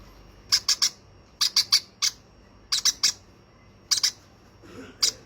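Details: A young, second hand-fed baby conure gives short, harsh, broadband squawks in quick clusters of two to four, with brief pauses between bursts, in a quiet room.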